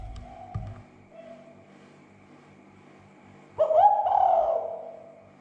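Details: Spotted dove call meant to stir other doves into calling: faint murmur and a soft thump at first, then a loud, hoarse coo with a rising lift that slowly trails down.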